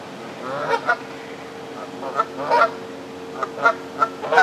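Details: Canada geese on the South Pond in Midhurst, West Sussex, England, in moult, honking in short, nasal, two-part blasts in irregular bursts roughly every half second to a second, over a steady low hum.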